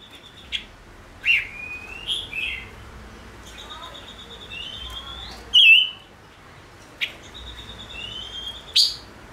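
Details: Chim ngũ sắc song over a quiet background: long level and rising thin whistles mixed with scattered sharp chirps and a short twittering flourish.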